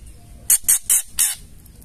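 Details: Female white-rumped shama giving its ketrekan call, used to provoke other males into singing: four harsh, raspy, broadband bursts in quick succession, each about a tenth of a second long, over a quiet low background hum.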